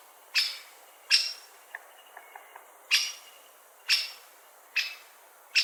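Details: Great spotted woodpecker calling six loud, abrupt 'kik' notes at uneven intervals, with a few faint, thin ticks from another small bird in the pause between them.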